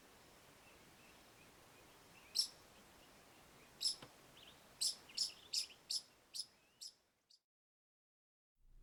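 A Pied Kingfisher gives a run of sharp, high, squeaky chirps, about seven in quick succession, over a steady background hiss.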